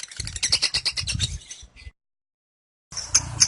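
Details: Lovebird giving its ngekek, a long chattering call held about 30 seconds with the head raised upward: rapid high chirps roughly four per second for under two seconds, a sudden silence, then sharp chirps resuming.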